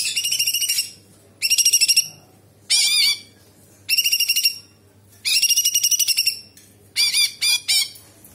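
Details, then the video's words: Cucak cungkok bulbul, an active singer, with imitations of small and large birds and insects. Bright, harmonic bursts of whistled and chattering phrases, each about half a second to one second long, separated by short pauses. "Cucak Cungkok istimewa gacor"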